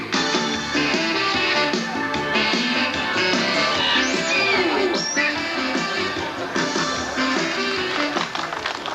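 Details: Strummed guitar music plays throughout, with no animal voices heard.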